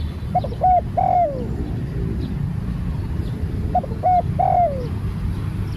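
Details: Newly trained spotted dove out on a training session, repeating its coo twice: a couple of brief hooting notes and then a long falling croon, against constant low background rumble.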